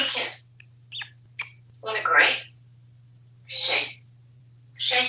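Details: African Grey Parrot kept as a house pet in Texas, chattering words in uneven bursts with brief clicks between them, quiet pauses, and a faint constant background hum.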